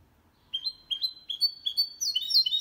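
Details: Goldfinch × canary hybrid singing a clean song meant to stimulate males and teach young birds; a string of short high whistled notes, each a quick rising slur, repeated about three times a second and building in intensity.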